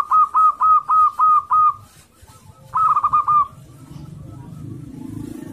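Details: Local male zebra dove courting a female, described as aggressive and used as a lure to provoke other doves into calling; six quick, clipped cooing notes in an even series, a short pause, then a tighter rippling burst, ending in low background rumble.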